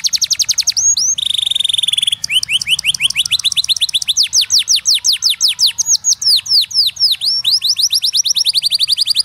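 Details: Canary singing a fast, bright song: rapid rolls of high, sharply falling notes, a brief buzzy ringing passage, then slower swooping chirps repeated several times a second, all loud and close.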